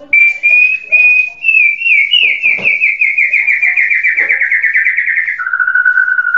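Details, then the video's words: White-rumped shama song: clear whistles lead into a long rapid trill of repeated notes that slowly drops in pitch, then shifts to a lower steady trill. "SUARA BURUNG MURAI"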